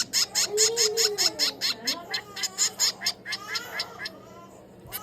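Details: Rapid high, scratchy begging chirps from a 22-day-old finch chick during hand-feeding, evenly spaced for about three seconds, then fading while a person's soft voice continues underneath.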